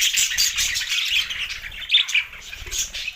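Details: Budgerigars twittering with bright high chirps and short whistled notes amid busy overlapping chatter.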